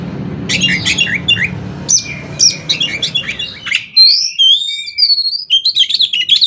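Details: Kacer, or Oriental magpie-robin, singing 'konslet'-style filler to prompt other magpie-robins: scratchy chattering phrases over hum, then clean ringing whistles sliding up and down and a quick final chatter.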